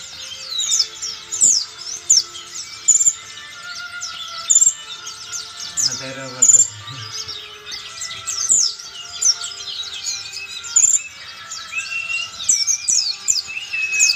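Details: Sogon song mixed with white-eye imitations, a long, busy stream of high chirps, sweeps and rapid twitters broken by louder bursts, with a brief low murmur of human voice midway.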